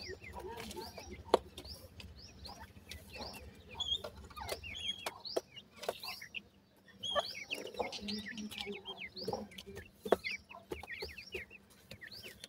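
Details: A busy chorus of grey francolin chicks (bhura teetar): thin downslurred whistles repeated rapidly and overlapping, with scattered clicks and a faint low hum.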